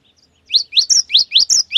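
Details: Energetic cinereous tit song meant to stimulate silent or moulting birds of its kind to sing: after faint soft notes, a quick run of seven loud upslurred whistles alternating with higher drawn notes, rapid 'wucit wucit' rhythm.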